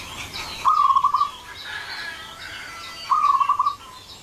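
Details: Zebra dove lure call for attracting others of its kind: two brief rolling trills of rapid coo notes about two and a half seconds apart, set against a wash of broadband background noise.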